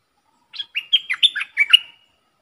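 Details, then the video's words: Bulbul used as a decoy bird sings a brief, tumbling phrase of about eight chirpy, whistled notes, several bending downward, with a soft trailing tone at the end. "เสียงนกดอกแตงEp.73 นกต่อสายโหด(เจ้ามณี) Suara merbah lekir gacor"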